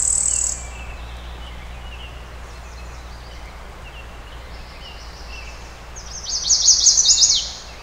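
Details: Brewster's Warbler (Blue-winged × Golden-winged hybrid) at Oil Creek State Park, Western Pennsylvania, May 20, 2011, cloudy, within two hours of sunset, sings a Blue-winged-type song: high thin buzz, then lower rougher buzzy trill, faint chips between.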